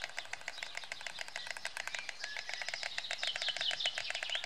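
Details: White stork at its nest by the Elbe, 16 June 2016, welcoming its partner: fast rattling bill-clatter of crisp clicks, quickening slightly, with thin high twittering of a small bird over the final second.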